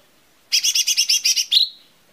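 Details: Lesser green leafbird song meant as a lure to start birds singing: a quick buzzy trill of about nine pulses, finishing with a short clear whistle.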